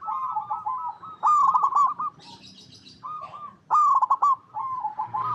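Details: Zebra dove, a local Indonesian bird used to lure other doves into song: repeated rapid staccato coo phrases, two loud bursts and softer rolling coos between, with a brief higher chirp from another bird.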